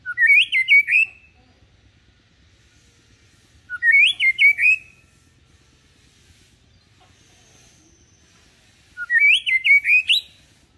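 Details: White-rumped shama song used to coax young birds into singing like adults, the singer deliberately kept low-key and not aggressive; a rapid burst of bright whistled notes repeated three times, roughly every three seconds, with quiet between.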